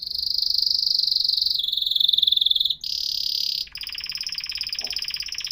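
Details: Atlantic canary delivering long continuous rolling trills: a high, fast pulsing buzz that holds one pitch, drops slightly, breaks briefly, then resumes as a broader, rattling roll.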